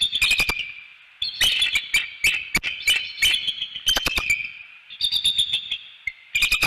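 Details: Nesting bald eagles in northeast Florida call during mating: sustained high, shrill chittering series broken by short gaps, with scattered sharp knocking sounds throughout.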